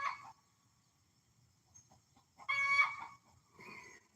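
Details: Noisy domestic hen, reportedly laying an egg, gives brief loud raspy cackles: one at the start, a stronger squawk near the three-second mark, then a softer follow-up cluck, with quiet gaps between.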